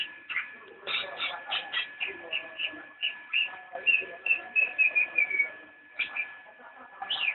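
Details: Javan white-eye in nyinden-style song: a long run of short, bright whistled notes repeated about twice a second, over a steady low background hum.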